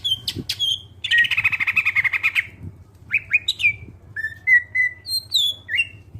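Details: Greater green leafbird, a clear-voiced song used to lure other birds into singing: a harsh buzzy burst, then short rising and falling whistled notes and slurred phrases, with a low hum beneath.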